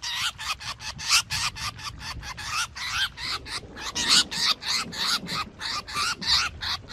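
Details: Black drongo lure recording, 2021, packed with dense, rapid rasping notes that run almost without pause, some carrying faint upward-sliding tones.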